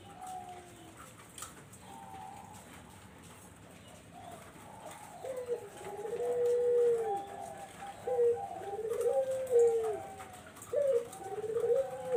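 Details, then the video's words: Barbary dove cooing, recorded as a lure for zebra doves: after a quiet start, low arched coos come repeatedly in the second half, each a rolling, slightly falling note, over faint background hiss. "SUARA BURUNG PUTER"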